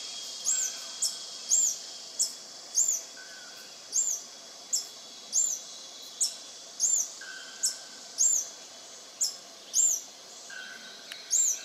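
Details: Lekking male scale-throated hermit (Phaethornis eurynome eurynome), singing from a mid-storey perch at Intervales, Brazil, 29 Dec 2019: a very high, thin, squeaky note repeated about twice a second at a steady pace, with soft forest hiss.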